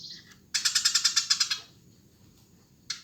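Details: Eurasian tree sparrow singing energetically: a fast burst of harsh, rattling chirps, about ten in one second, then a pause and another burst starting.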